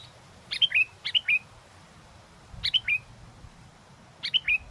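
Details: Sooty-headed bulbul (kutilang) singing vigorously despite strong wind, recorded for luring birds; three bright, quick phrases of three to four descending whistled notes, each burst separated by about a second and a half, over faint low rumble.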